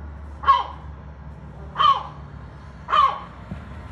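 A gull gives three short, harsh, barking calls about a second apart, like a hoarse dog's woof, over a faint low hum.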